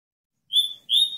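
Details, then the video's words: Double-collared seedeater giving two clear, high whistled notes, the second slightly lower and longer. "COLEIRO Cortando Canto"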